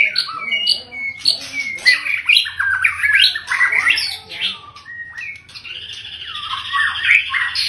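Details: Long-tailed male white-rumped shama, a father bird, singing a rich, varied song of loud whistled phrases, quick slurred notes and harsh chatters jumping widely in pitch, ending in a sustained buzzy, rattling passage; a faint low hum underneath.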